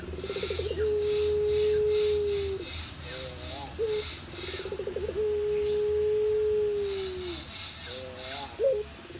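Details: Contest-champion Barbary dove of the puter pelung kind giving two full coo phrases: each opens with a pulsing, wavering roll, swells into a long, level, low tone lasting about two seconds, then closes with short wobbling notes, against steady pulsing hiss.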